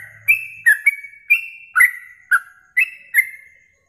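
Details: Yellow-vented bulbul, recorded as a masteran for training songbirds for morning and night contests, gives a steady series of bright whistled notes about every half second, alternating higher flat tones with lower slurred ones, plus crisp high ticks.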